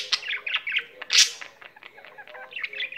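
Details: Short burst of pet budgerigar song: chirpy chattering notes, one loud harsh squawk in the middle, then softer clicking warble.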